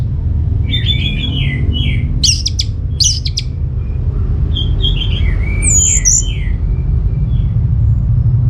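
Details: Orange-headed thrush song played to draw answers from other birds. Mellow, mid-pitched warbled phrases, a few sharp high notes and a thin whistle, over heavy continuous low rumble.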